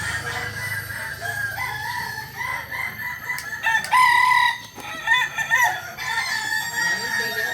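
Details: Solok native Kokok Balenggek chicken, West Sumatra, with its tiered crowing; several stepped crow phrases of moderate loudness, one sharp, bright burst in the middle, soft hum and a faint high tone behind.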